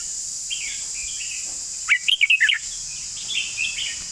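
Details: A red-whiskered bulbul song: faint warbles, then a loud, lively phrase of five or six quick, clear chirping notes, followed by quieter warbling, against a continuous shrill insect hum.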